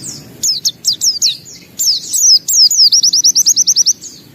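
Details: Singing white-eye gives a few high chirps and slurred phrases, then a rapid trill of about a dozen identical downslurred notes.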